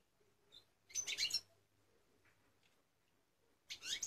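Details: Eight-month-old caged European goldfinch gives two short bursts of sharp, high, tinkling twitters about three seconds apart. Near-silence fills the gap between them, with only a faint low hum.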